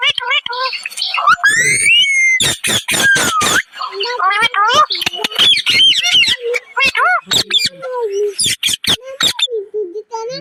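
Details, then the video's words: Parrots talking together, dated 7 August 2025: a busy mix of squawks, whistled rising and falling notes, and speech-like chatter, with sharp clicks and harsh bursts throughout. "parrot talking together"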